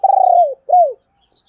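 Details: Close, clean female spotted dove call in the 'thổ đồng' voice, played to draw in wild males: one long, level, slightly tremulous coo dropping at its end, then a shorter arched coo.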